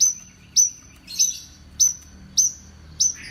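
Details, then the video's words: Ringing high whistled notes from a champion-quality Horsfield's bush lark, spaced a little over half a second apart, each with a short downward slur and a faint rough trailing note. "KICAUAn Burung BRANJANGAN STELAN JUARA!!!"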